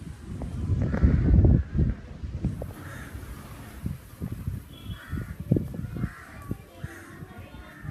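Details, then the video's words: Crow cawing in summer: a series of short, harsh caws scattered through the recording at irregular intervals, with loud low thumps and rumbling near the start and a constant low hum throughout. "sounds of the Crow"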